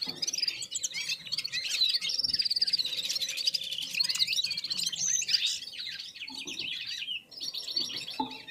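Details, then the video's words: Red-fronted serins singing in unison with other birds while warming up: an unbroken, rapid, tinkling chorus of high twitters and buzzy rattling trills, easing slightly near the end. "Попели поели и опять попели в Унисон Красношапочные вьюрки"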